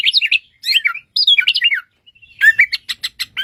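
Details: Bushlark, said to own 1001 original sounds, delivering quick bursts of scratchy warbled chirps separated by short pauses, ending in a rapid series of clipped high notes.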